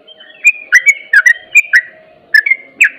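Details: Ropel-style song of a Sooty-headed bulbul, meant to excite other bulbuls: liquid, downslurred whistles delivered in short bursts with brief pauses, a soft background hum throughout.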